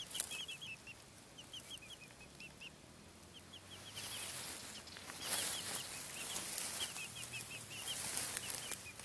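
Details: Silkie chicks: many short, high chirping peeps tumbling out in quick, uneven runs, several overlapping, with bursts of rustling and scratching noise in the second half.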